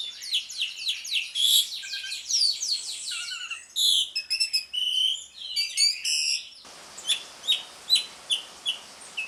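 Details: Asian pied starling in ngriwik style, played to draw song from a silent bird: a busy stream of squeaks, whistles and buzzes, then an abrupt change to evenly spaced sharp chirps roughly every half second over steady background hiss.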